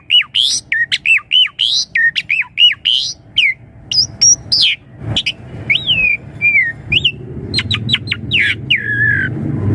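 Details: Asian pied starling song to make young birds answer quickly: rapid repeated looping whistles and sharp chirps, then drawn-out falling notes, with a faint low rumble toward the end.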